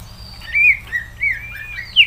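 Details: Loud slurred whistles from a greater green leafbird, each note bending up and down, spaced about a third of a second apart, with a low hum beneath.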